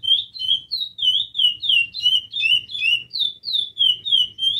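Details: Chestnut-bellied seed finch in sustained song, a quick series of bright whistled notes that dip and slur downward, some overlapping in brief doubled phrases, roughly three per second, over faint low background rumble.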